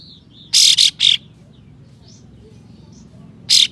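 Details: Harsh provoking calls of a white-shouldered triller, meant to make rival trillers spread their tails; a quick triple of loud scratchy rasps, then quiet soft whistles, then another single rasp about two and a half seconds later.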